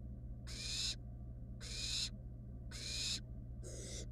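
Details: Wild barn owl chicks in a nest box, a nestling snatching a rat from its sibling; loud, wheezy screeching hisses of about half a second, four in quick succession at a fairly even pace, background hum steady.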